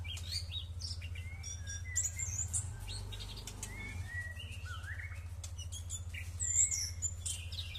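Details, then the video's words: A thrush bathing in the morning gives a continuous jumble of high whistled phrases, quick chirps and rising and falling slurs over a steady low hum. "Ngintip Anis lagi mandi, segerrrrr"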